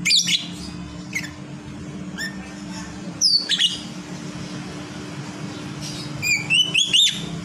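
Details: Sleeping lovebird vocalizing: scattered high sharp chirps, a brief descending whistle, then a cluster of thin rising and falling whistled notes with quick chirps, over a constant low hum.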